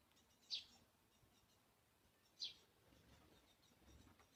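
A great spotted woodpecker gives two sharp, high 'tchick' notes about two seconds apart, each short and abrupt, against a quiet background hiss.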